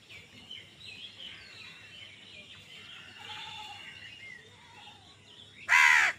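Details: Crow in a fight for food: thin, faint chirping and rustle for several seconds, then one abrupt loud, raspy caw at the very end.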